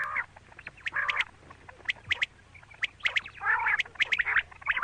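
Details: Female quail (batair) giving rough, nasal, quacking notes in uneven bursts, mixed with crisp clicking ticks and short silent gaps, the last bursts louder and longer.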